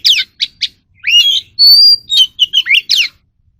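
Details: Song of an Oriental magpie-robin for captive-bird voice training: rapid down-sweeping chirps, rising whistles, a long pure high whistle, then a burst of varied sharp notes, all loud and clear.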